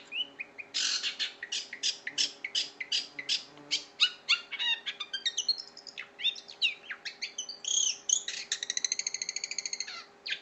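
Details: Vigorous long-tailed shrike song used to train caged birds: dense bursts of harsh chattering and rattling notes mixed with sharp chirps, then a rapid ticking series near the end, over a steady low hum.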